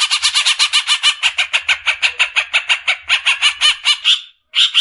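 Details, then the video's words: Greater green leafbird kept for tutoring other caged birds: a steady run of harsh, rapidly repeated chattering notes, about five per second, briefly broken near the end. "MASTERAN...‼️ SUARA JERNIH,Besetan suara burung CUCAK IJO."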